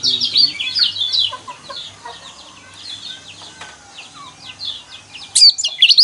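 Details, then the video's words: Loud high twittering from a yellow white-eye, used to provoke caged birds into singing, opens the recording, fades into softer scattered chips and ends with a sudden bright burst of notes. "burung pleci kecial kuning mana yang nggak kepancing emosinya dengan suara seperti ini"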